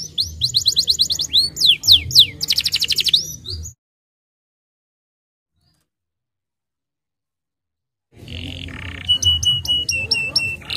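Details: Starblue canary song used to provoke young canaries into singing and rolling: rapid trilled and sweeping whistled phrases, a silent gap of about four seconds, then repeated sharp upswept notes over low hum.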